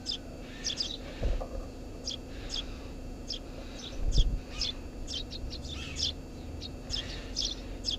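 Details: Tree sparrow nesting under a house roof gives varied chirps, some single and some in quick doubles, while low thuds and rumbling noise sound in the background.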